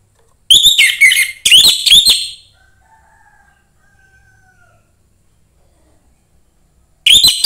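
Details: Song of a young orange-headed thrush from the forest, used to provoke other thrushes: two bursts of fast, descending whistled notes, faint low drawn-out tones during a pause of several seconds, then singing resumes.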